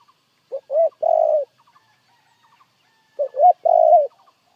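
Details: Spotted dove cooing in the prized 'gù' voice: two phrases, each a short low coo followed by a longer, rolling coo, separated by about two seconds of quiet.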